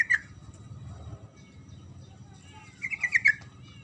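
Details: Sooty-headed bulbul singing in the prolonged 'ngerol' style, played to provoke silent bulbuls into answering: a brief bubbly note at the start, then a quick cluster of five or six clipped warbling notes near the end, over a low background hum.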